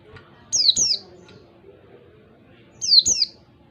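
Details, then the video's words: Wild oriental white-eye singing a 1-2-3 beat lure phrase: two doubled bursts of thin, high, downward-sliding whistles roughly two seconds apart, with low background rumble. "pancingan pleci ngalas 1 2 3 ketukan terampuh buat pancingan segala jenis pleci"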